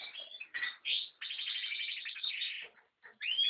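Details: Continuous high twittering from an American goldfinch, a long rapid chattering trill running for over a second, flanked by short chirps and a rising whistled note at the end.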